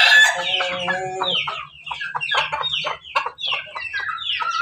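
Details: Pelung, Bangkok and ketawa crossbred roosters, red comb, Banguntapan farm in Jogja; a drawn crow opening into quick repeated falling syllables, several birds calling together with low hum underneath.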